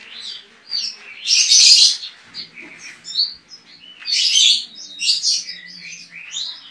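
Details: A competition white-eye from Pontianak, West Kalimantan, Indonesia, entered in an online contest, sings in rapid, high bursts of bright twittering and trilled notes: two dense phrases separated by short chips and pauses.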